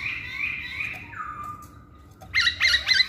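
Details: Masked laughingthrush lure song meant to set silent males calling: smooth sliding whistles give way to a burst of three rapid, squawky rising notes over background hum.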